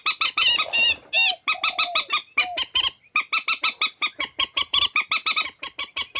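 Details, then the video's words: Swamphen lure recording, a compiled track for trapping: a continuous stream of harsh, honking squawks repeated several times a second, with a few drawn-out nasal notes near the start. "Tiếng trích ghép mòi"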